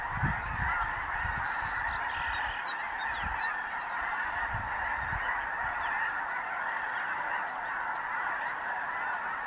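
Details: Prairie flock of snow geese, blues and Ross's geese on spring migration in the Dakotas, feeding and loafing; a thick, steady roar of overlapping nasal honks, with a few low bumps near the start.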